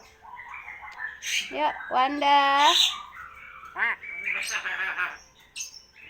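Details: Talking common hill myna mimicking speech and coughing: nasal, voice-like phrases with rising harmonic sweeps and short squawks, a loud drawn-out syllable in the middle, then rapid chatter.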